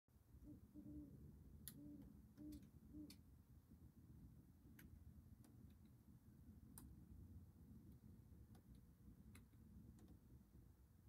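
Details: An owl near Davis Creek Road, Seneca, South Carolina, at 04:01 on 8 March 2022 (53°F, light WNW wind, dripping after evening rain) gives four or five low, soft hoots, then falls silent amid faint clicks.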